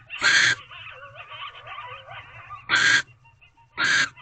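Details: A female barn owl at an owl box at 11:24 pm on 18 February 2023, during mating, holding a rodent the male brought, gives three harsh, hissing screeches about a third of a second each, with softer wavering twitters between.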